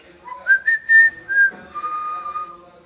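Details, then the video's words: Pet parrot known for wolf whistles and for whistling a marching song from a film. Here it gives a brief run of clear whistled notes, rising to a steady pitch, then a long level whistle. "The Whistling Jungle Parrot"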